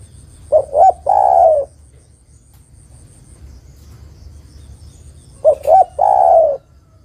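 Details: A female spotted dove calls a male as a luring sound: two brisk coos run straight into a long, vibrating coo, heard twice with a quiet pause of about four seconds between.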